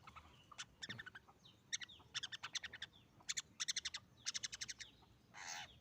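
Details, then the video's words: Young long-tailed shrike learning to sing, its song still unsettled and slightly rough: bursts of short, clicky, buzzy notes in rapid rattling runs of four to seven, separated by brief pauses, with a scratchy noisy burst at the end. "Cendet Pastol Belajar Bunyi - Suara burung Cendet Lepas Trotol"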